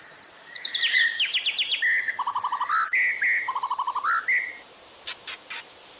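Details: White-rumped shama master song for training, with fills and sharp bursts: fast descending whistled note series, then low rapid trills and bright chirps. The phrases are spliced, and three short high clicks follow a pause.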